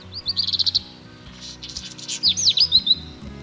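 Black Redstart song: a high, quick rattling phrase, a burst of scratchy crackling, then a few thin whistled notes, over soft background music.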